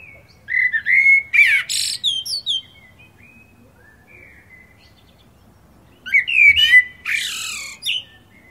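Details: Common blackbird singing two phrases: a mellow, fluted whistle wavering in pitch, followed by a squeaky, jumbled high twitter, with a quiet gap of about three seconds between them.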